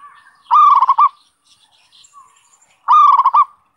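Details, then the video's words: Zebra dove song played as a lure for wild doves: two loud phrases about two seconds apart, each a rapid, slightly rolling string of fused coos on one steady pitch. "SUARA PIKAT PERKUTUT"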